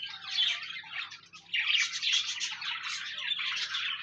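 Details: Pet budgerigars singing as companionship for a lonely budgie: high warbling chatter that dips briefly, then surges back louder and fuller, with squawky notes mixed in.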